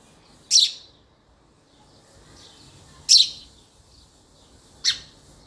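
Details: Three loud, abrupt chirps from a male house sparrow, each a sharp high note dropping quickly, separated by two to three seconds of near silence.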